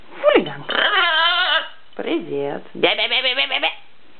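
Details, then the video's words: Pet macaw talking indoors: three hoarse, voice-like phrases with a wavering pitch, the last broken into quick rhythmic syllables, in a quiet room. "Ара говорит"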